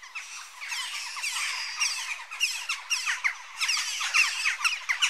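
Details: Many Western jackdaws squawking at once, bright harsh calls overlapping in close, loud bursts with little space between them.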